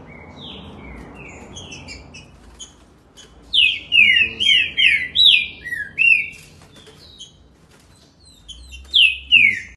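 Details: Green-winged saltator, a fast singer, in Campinho, Rio de Janeiro, singing a fast burst of six loud, clear, downslurred whistles, then a softer pair after a pause, over faint rumbling background noise.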